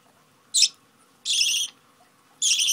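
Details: Budgerigar being hand-fed and unable to wait: three grating, buzzy begging squawks, the middle one longest, separated by short silences.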